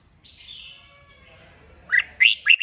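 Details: Strong kích bổi song from a red-whiskered bulbul meant to set other birds singing: a long soft warbled line, then three loud, emphatic, slurred chirps in quick succession.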